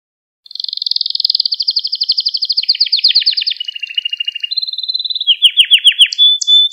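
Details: Canary song meant for training young canaries: a long rapid, even high trill, dropping into a lower buzzy rattle, a short flat whistle, then a run of sweeping downslurred trill notes and a closing whistle.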